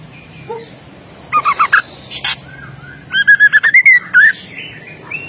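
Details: White-rumped shama singing hard and sounding agitated: a quick cluster of buzzy double notes and a sharp click, then a rapid string of rich whistled notes climbing in pitch.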